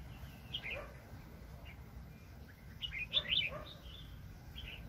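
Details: Red-whiskered bulbul recorded in 2020 while being trapped with a decoy bird: short warbled, chirpy phrases scattered through the recording, louder bursts near the end, over steady low background rumble.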